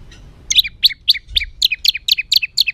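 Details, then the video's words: White-rumped shama in rough, emotional song used to provoke other birds: a steady series of about nine sharp, high chipping notes, evenly spaced, over quiet background. "Materan kasar MURAI BATU penuh emosi...pacingan burung agar cepat emosi"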